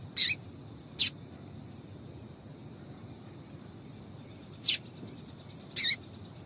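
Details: Calls of a female yellow-bellied seedeater meant to excite the male: two quick buzzy chips, a gap of over three seconds, then two more, some ending in a lower downward tail, with a thin constant tone.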